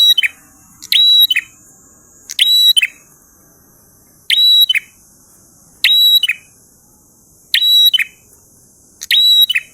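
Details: Prinia singing in the 'ngalun' style: high, rattling phrases of quick rising-and-falling ticks with a clear whistled ending, repeated about every one and a half seconds against a persistent thin hiss.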